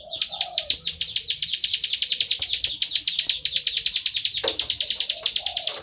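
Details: Plain prinia singing full 'ngebren', an insistent high, buzzy trill of evenly spaced rapid notes that runs almost without break, with low cooing in the background.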